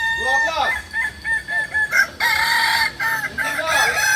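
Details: Kokok Balenggek roosters at a crowing practice event in Amko, Solok city: several overlapping crows, each a harmonic held note with stepped, wavering segments, sounding close together among other birds.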